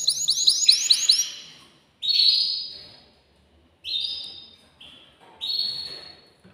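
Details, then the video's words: Caged male canary singing to stimulate a female for mating: quick repeated rising notes at the start, then separate long whistled phrases spaced by short silences. "تغريد ذكر كناري هائج يريد تكسير القفص يحفز الأنثي لتزاوج"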